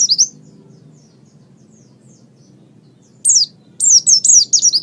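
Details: Oriental white-eye song used for training other songbirds: a brief high note, long quiet stretch, then a burst of thin, very high slurred chirps in quick succession over soft low background noise.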